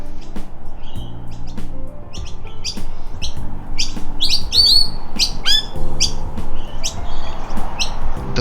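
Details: Noisy miners (Manorina melanocephala), an eastern Australian honeyeater, give a burst of sharp, high chips and short descending squeaky notes in quick succession over steady background music.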